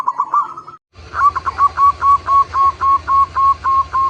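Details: Lure song of a local zebra dove meant to set other zebra doves singing: a short trilled phrase, a pause, then a steady run of clipped cooing notes about four per second over a low rumbling background.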